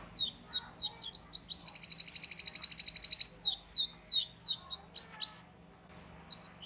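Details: Canary master song for training juvenile canaries: repeated whistled sweeping notes frame a fast, even rolling trill, then more quick sweeps before fading.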